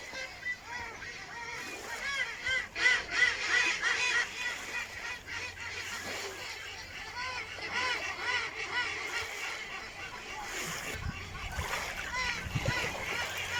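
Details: A flock of ducks gives a steady stream of overlapping nasal calls, some rising and falling, many birds heard at once with a low hum underneath.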